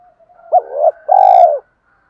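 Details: Spotted dove provoking wild doves with its call. A soft low hum leads into a sharp hooked note, a burry coo, then a long, evenly throbbing coo that fades downward.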